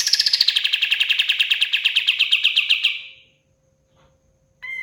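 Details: Lively song of a pied fantail (kapas tembak): a rapid rattling trill of bright notes, gently falling in pitch and fading after three seconds, followed by a brief pause and a short, clear, tonal note.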